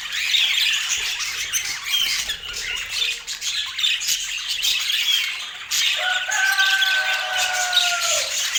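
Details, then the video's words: Pet rainbow budgerigars at an apple meal chatter in busy high warbles and chirps, the twitter dipping briefly mid-way, then a long smooth descending whistle-like squeal sounds over the continuing chatter near the end. "Cute Budgie Eating Sweet Apple Relaxing Budgie Sounds"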